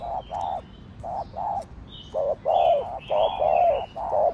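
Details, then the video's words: Spotted dove cooing in the Thổ Đồng voice style, played to stir other doves; low hoarse coo notes come in short uneven groups about once a second, with thin high chirps of other birds in the background. "Cu gáy giọng Thổ Đồng Thúc, Gù kích bổi nhanh nổi"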